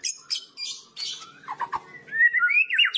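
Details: White-rumped shama in a loud kretekan song used to provoke other shamas: harsh, noisy chattering bursts, then a few low sharp notes, ending in a rising, whistled warble.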